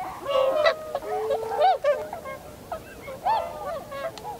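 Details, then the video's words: Winter flock of Tundra swans, filmed 7 February 2015 as birds gather, land and fly in V formation; loud bugling honks in quick bursts, rising-falling arcs overlapping from many birds. "コハクチョウ "Cygnus columbianus" の鳴き声。"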